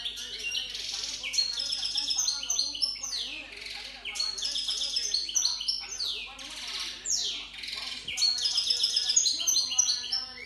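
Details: A goldfinch hybrid, a cross of white-throated and white-collared goldfinch, sings a fast, continuous run of high twittering trills, buzzy rolls and sharp chirps with few pauses, alongside a faint low steady hum.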